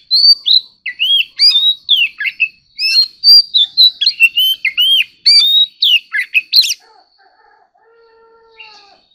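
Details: Oriental magpie-robin singing competitively after being prompted: long, fast string of loud whistled phrases, upslurs, downslurs and sharp chips, ending in a faint, quiet steady tone.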